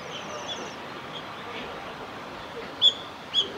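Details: Japanese and Bohemian waxwings in Hiratsuka, Kanagawa, on 14 February 2021: faint, thin high trills at the start, then two short, sharp high notes about half a second apart, over a soft outdoor hiss.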